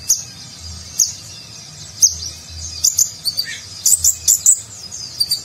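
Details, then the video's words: Konin sunbird in 'gacor' 'nagen'-style song recorded as a training piece for contest birds; isolated high chirps each second give way to a quick, dense cluster of shrill notes and trills, with low background rumble. "Konin Gacor Isian Mewah Gaya Nagen, Cocok Untuk Masteran Burung Lomba"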